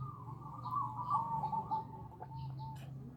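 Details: Zebra dove (Bangkok perkutut) lure call used to bring in other doves; a continuous rippling coo sequence that fades gradually, with a low droning hum and a faint click near the end.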